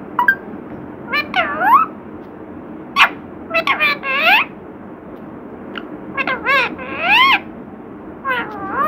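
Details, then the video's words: Mimicking parrot speaking words in quick harmonic syllables, many sweeping downward after a high start, in bursts of two to four with pauses, plus a few sharp clicks, over steady low background noise. "बातूनी तोता"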